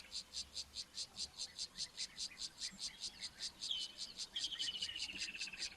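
A Woodland Kingfisher gives a sharp high note and then a long, falling, whistled trill, over a steady pulsing insect chorus about twice a second.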